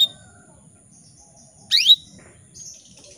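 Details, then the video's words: Female canary calling to males, used as a lure to spur male canaries into singing; one brief, bright call made of rapid rising-and-falling sweeps, with a faint high chirp following and a steady high-pitched hum throughout. "PANCINGAN KENARI BETINA MEMANGGIL JANTAN"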